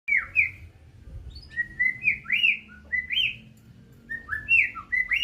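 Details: White-rumped shama of the Medan type singing: clear whistled phrases of rising and falling slurred notes around the upper middle register, delivered in a steady run with short pauses, plus a faint low hum underneath.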